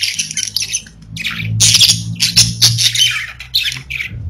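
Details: Chattering of pet budgerigars kept indoors: dense scratchy warbles and sharp squawks in quick irregular bursts over a faint low background hum.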